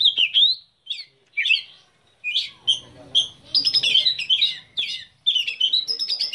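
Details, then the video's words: Black-breasted Oriental magpie-robin, a kept bird, singing: loud, varied whistled and chattering phrases, slurred up and down, in bursts separated by short pauses, with a faint low hum in the middle. "KICAU KACER DADA HITAM"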